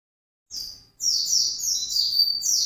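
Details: White-eye singing intensely in the fast 'ngalas' style, a brief high note followed by a continuous thin, shimmering stream of twitters over faint low background noise.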